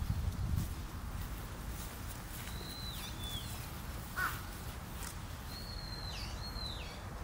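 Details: Parent and young Long-eared owls on Tsushima, Japan, give faint, high, drawn-out squealing notes that bend downward at the end, heard twice several seconds apart, against constant low rumble and a brief click.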